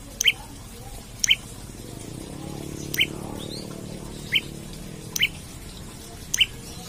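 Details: Olive-backed tailorbird calling hard in search of a rival, for luring, trapping or training other birds: six loud, sharp rising chip notes at uneven intervals of one to two seconds, with faint low background murmur.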